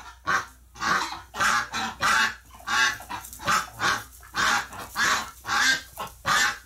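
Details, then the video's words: A flock of ducks freaking out after one of their flock died in the hospital, November 30, 2018: loud, harsh, nasal quacks in rapid overlapping bursts, roughly one and a half per second, several birds calling together. "Duck Dies in the hospital, rest of the ducks freak out..."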